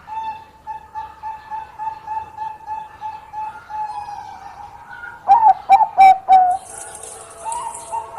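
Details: Zebra dove of the Bangkok type singing to lure a rival singer. Steady, soft, repeated coo notes are followed by a burst of four loud staccato coos, with a brief high hiss near the end.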